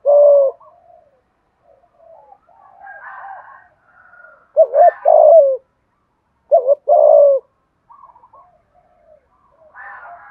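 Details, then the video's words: Spotted dove cooing as a lure for wild birds: two clusters of short and longer coos separated by quieter, scattered soft notes, with a brief coo at the start. "tieng cu gay kich boi nhanh noi hieu qua hang ngay, boi nghe gay theo ca ngay"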